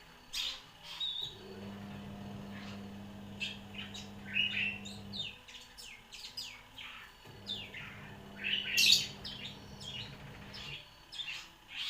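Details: One-year-old long-tailed shrike singing a song filled with imitations of bar-winged prinia and sparrow fighting calls: sharp, varied chirps and short rising whistled notes in quick bursts, with a steady low hum underneath.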